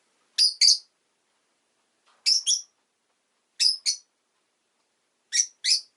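Rosy-faced lovebird giving sharp, high, shrill chirps in quick pairs, each pair about every one and a half seconds, against a silent background.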